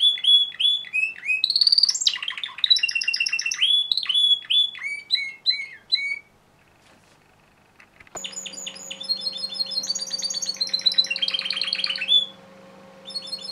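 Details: Timbrado canary male from a breeder's stock, singing a rich warbled song of rapid trills, chirps and rolling phrases around 2,000 to 8,000 cycles, pausing near six seconds, then resuming with dense high trills over a steady low hum.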